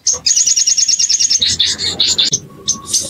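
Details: Bar-winged prinia provocation call used to stir an untrained bird into song: a bright, rapid, evenly pulsed high trill running over a second, then breaking into jumbled louder chirps and scattered high notes.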